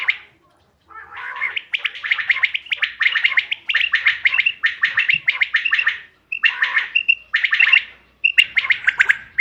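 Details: Hunting-lure quail calls dated 5 June 2025: dense runs of rapid, rasping chirps in bursts of about a second, broken by short pauses, with a few clearer whistled notes toward the end.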